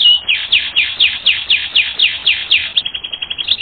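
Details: Training recording of a canary: rhythmic descending swept notes repeated about four per second, then a quick run of short rapid chips at the close.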